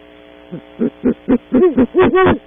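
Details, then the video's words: Pair of great horned owls at a cavity early in the morning at Audubon Starr Ranch, California, captured on a monitoring camera: a run of deep hoots that starts soft and grows louder, the later hoots longer and overlapping, over a steady electrical hum. "Pair of Great Horned Owls visit cavity early morning"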